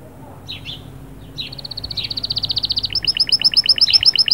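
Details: Canary singing to stimulate the female: brief chirps, then a fast high rolling trill of evenly repeated notes that grows louder, ending in a brisk series of sharp, down-slurred double notes.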